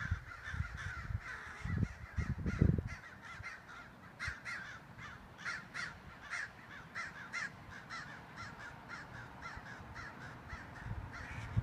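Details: Crows mobbing a hawk to drive it from the crow colony: long, rapid series of harsh caws, several per second, after an opening burst of low wind buffeting.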